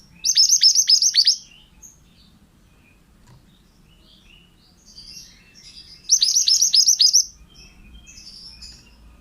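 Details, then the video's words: Pied bushchat male singing strongly, recorded to train other birds: two bursts of rapid, high, sharply falling whistles several seconds apart, with faint softer chirps between them. "BURUNG MANTENAN GACOR"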